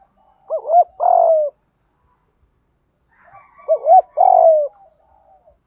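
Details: Decoy spotted dove for luring doves, 'gù thúc' coo style: two phrases about three seconds apart, each two quick up-and-down notes followed by a rich, drawn-out coo sliding lower.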